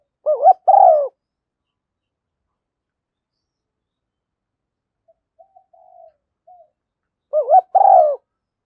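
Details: Spotted dove decoy call used to lure doves, from a female, with thúc gù and gáy gọi styles: one loud two-part coo, a long silence with a few faint murmurs, then the same double coo again.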